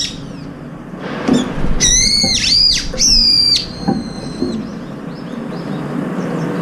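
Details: Brown-eared bulbuls crowding in to feed together, sometimes pecking one another and flying up to fight. Two loud, drawn-out, harsh squealing calls that bend up and down, followed by fainter call fragments and low rustling.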